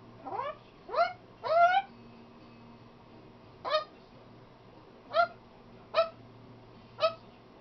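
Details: Talking pet macaw giving seven short, nasal, upward-sliding utterances, some almost meow-like, spaced unevenly over eight seconds above a faint low hum; the bird says words such as "come here" and "are you ok".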